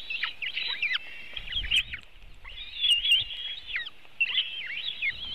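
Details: White-tailed eagle at its nest in Latvia, filmed by webcam on 24 June 2018 around 3:23 pm while the eaglets are fed a large fish; high, yelping whistled calls in rapid wavering runs, repeated nearly continuously with short gaps.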